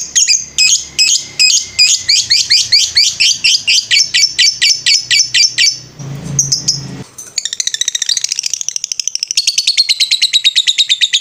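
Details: Lovebird song used as a master recording for training birds: rapid series of high, sharp chirping notes repeated about twice per second, a short noisy burst, then a fast, high trilling chatter.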